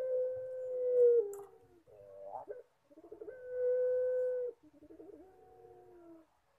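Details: Puter pelung, a long-cooing collared dove, performing: drawn-out, even coos held for over a second, broken by shorter wavering, stuttered phrases, with quiet gaps between bouts.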